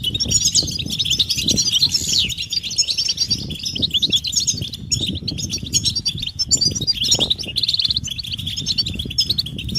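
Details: Group of European goldfinches giving mating and readiness calls to rouse males into song; a thick, unbroken wash of high tinkling chirps and buzzy notes, with steady low background rumble.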